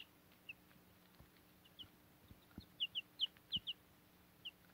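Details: Backyard chicks, nearly grown and getting adult feathers, kept with a Cochin mother hen on fodder; a few thin, high peeps sound singly, then come quicker in a short cluster near the end over a quiet background.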